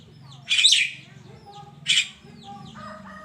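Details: A Javan myna sings in the morning with two loud, harsh, scratchy bursts about a second and a half apart, linked by softer whistled notes, over a low steady hum.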